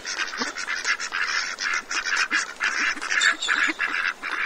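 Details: Ducks in a feeding frenzy at Cambridge, Maryland, producing a dense, overlapping chorus of harsh quacks and nasal calls with no pauses.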